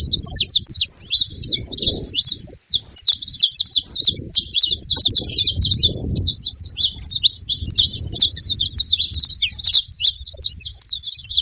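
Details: Wild saffron finches calling together at a feeding spot, a busy chorus of bright, high chips and slurred notes tumbling without pause, with intermittent low background rumble.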